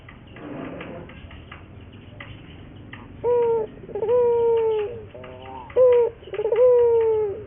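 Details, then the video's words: Barbary dove lure song from Indonesia, played to train other doves to sing. Indistinct low rustling at first, then short abrupt coos alternate with rolling, drawn-out coos that sag gently in pitch. "pancingan burung puter gacor, melatih burung puter lokal agar cepat gacor"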